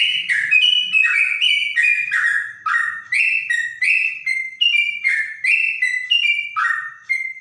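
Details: Lively trotok song in a clear voice reminiscent of a straw-headed bulbul: rapid, repeated whistled phrases, each stepping from high to lower pitch, steady throughout.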